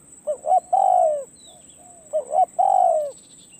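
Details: Spotted dove used as a decoy, taken to a perch: two phrases, each two quick soft rising notes and a long, smooth, gently falling coo, with a faint quieter coo between and a high steady hum.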